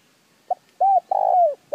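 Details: Brief spotted dove phrase meant to stir decoy birds to call: a clipped opening note, a rounded coo, then a long, slightly burry coo that slides down in pitch.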